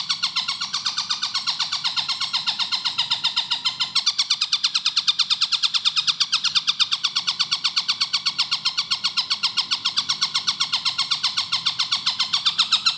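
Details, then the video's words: Tengkek buto (Long-tailed shrike) delivering a clear, fast song for training cage birds: a steady stream of scratchy, harmonic notes repeated about four times a second, shifting slightly higher and denser after four seconds and carrying on unbroken. "MASTERAN TENGKEK BUTO GACOR SUARA JERNIH SPEED RAPAT"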